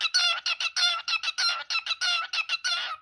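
A cockatiel gives a rapid run of harsh, scratchy chattering notes, about three per second, with a slightly musical ring and no other sounds.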